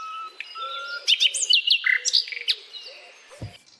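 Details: Common nightingale (Luscinia megarhynchos) song: a rich, varied phrase with a pure whistle, then rapid sweeping chirps and buzzy notes, ending in a sharp click, over a faint low hum.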